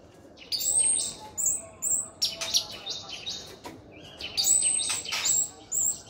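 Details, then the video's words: An orange-headed thrush in full gacor song gives loud, harsh, buzzy high phrases in repeated bursts about every half second, with quieter gaps and faint background noise. "Anis merah gacor teler"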